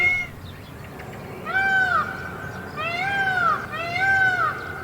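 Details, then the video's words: Three drawn-out, wailing calls from a peacock in a cage, each note rising and then falling like a loud meow, spaced about a second apart. "Beautiful Peacock Making Sound in the Cage"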